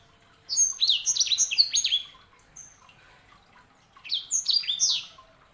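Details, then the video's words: Two lively phrases from a sanger, a canary hybrid, each a rapid run of piercing, downward-sweeping whistled notes, with a short pause between the phrases. "KICAUAN SANGER"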